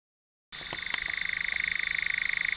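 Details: Eurasian nightjar: after half a second of silence, a steady, dry, rapidly pulsed churring trill begins and continues unbroken to the end, with a few faint clicks near the start.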